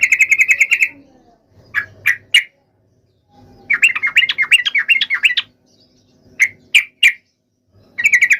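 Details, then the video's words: Fighting song of a yellow-vented bulbul, meant to provoke rivals into replying: a run of strident repeated notes, scattered loud single chips, and a burst of rapid bubbling chatter, with silences between. "trucukan gacor TARUNG FULL EMOSI TAJAM ini ampuh MENJADIKAN agar burung trucuk gacor NYAUT SEKETIKA"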